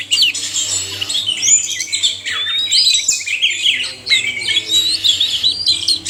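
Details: Male and female oriental magpie-robins singing together, used to stir captive birds to sing: a dense, continuous stream of high whistles, slurs and chattering phrases with loud bursts and hardly any pause.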